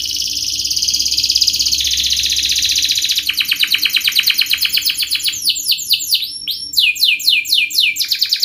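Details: Energetic canary in fast, tight 'speed' style song, a tutor for young learners: a long dense high trill that shifts into quick repeated notes, ending in bright downslurred whistles, with a soft low hum behind.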